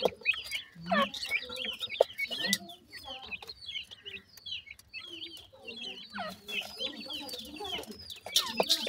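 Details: Wild grey francolin chicks being fed; steady stream of thin, high cheeps and short whistled chirps, uneven rhythm, with brief tapping clicks now and then.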